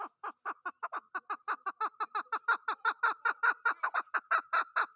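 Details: Chukar partridge, or chakor, delivering a continuous rattling chain of throaty chuck notes that speeds up and grows louder over five seconds.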